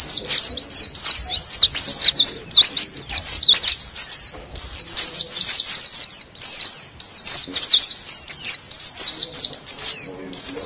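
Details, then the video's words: Lure recording of noisy white-eyes for drawing in wild birds: a continuous chorus of quick, high, downward-slurred tweets, densely packed, with brief dips in loudness every second or two. "SUARA PIKAT PLECI RIBUT"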